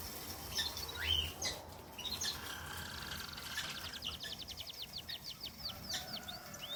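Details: Gouldian finch singing: a rapid run of evenly spaced, high thin notes fills the second half, after scattered faint chirps and soft background hiss.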